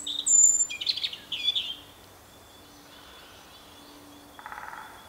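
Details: European robin song with high thin whistles and warbled notes early on, then silence, ending with a softer buzzy trill; a faint low steady hum underneath.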